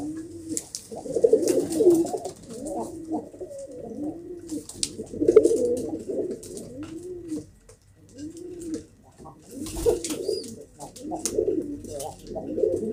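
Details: Pigeons in a loft, several birds cooing together; low, rounded arched coos overlap continuously, with rustling and faint clicks from the birds moving about.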